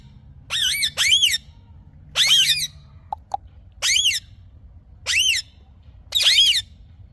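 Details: Green parrot calling with bright, arched screeches about once a second, starting with a quick pair and then spaced singly, with one soft knock midway.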